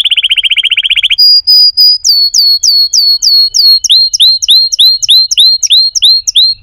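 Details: Canary song moving through a fast rattling trill, a steady pure whistled note, then a repeated series of clear upslurred whistles, about three per second.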